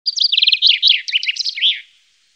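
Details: Common chaffinch singing one brisk song of about two seconds: a rapid descending series of repeated sharp notes, then a faster jumbled section, closing with a short flourish; clean, with no other sounds.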